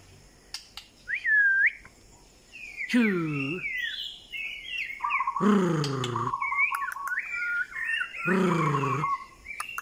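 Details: White-rumped shama singing: varied clear whistled phrases, slurred and rising, mixed with rapid repeated buzzy notes, broken three times by loud, low, harmonic bursts of another sound lasting under a second each.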